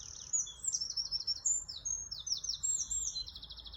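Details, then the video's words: Melodious birdsong with a rapid sequence of thin, high whistled notes and short slurred trills, sliding up and down, tumbling close together over faint low rumble. "เสียงนกร้อง ไพเราะมาก"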